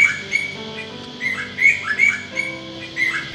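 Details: A pair of Eastern Koels, a black male and a spotted female, perch together in a tree in the Hunter Valley, NSW, and duet to scout host nests. They give sharp, high, rising notes repeated rapidly, several per second, over a steady low droning hum.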